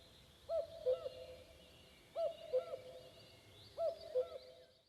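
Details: Common cuckoo in the Vändra forests of Pärnumaa, Estonia, heard on a May evening, its cuckooing slightly unusual. Steady series of three falling cu-coo pairs spaced roughly 1.6 seconds apart. Distant high-pitched songbirds are heard behind it.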